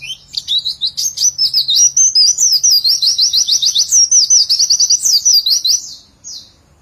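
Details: Caged white-eye in a continuous 'nembak' song with a rapid 'ngecer' trill: fast, high whistled 'witwitwit' notes run together for about six seconds, looping up and down, then a short final note. The background is quiet.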